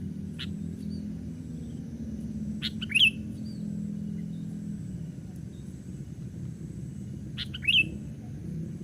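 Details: Lure recording of a young sooty-headed bulbul on a branch meant to excite wild birds: two well-spaced phrases of short clicky chirps ending in a bright slurred note, roughly five seconds apart, over steady low noise.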